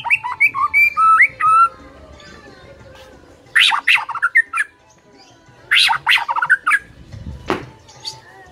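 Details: White-rumped shama singing loudly: a quick series of whistled notes, then two bursts of harsh, scratchy chatter with whistles, separated by quiet gaps.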